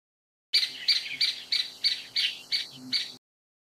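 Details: Rapid run of shrill, buzzy notes from a grey-capped pygmy woodpecker, a Taiwan endemic subspecies, repeated roughly three times a second for under three seconds against a quiet background.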